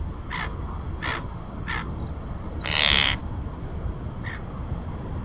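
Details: Common terns breeding on a floating conservation platform at the Marismas de Astillero reserve, Santander Bay, Cantabria, Spain, pairs incubating; several short grating calls followed by one louder, longer harsh screech, over low steady noise.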